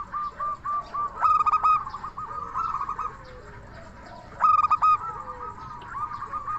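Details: Zebra dove, a local Indonesian songbird in the crystal-voice style used to lure and excite other doves: two loud ringing phrases about three seconds apart, each trailing into softer rapid coos.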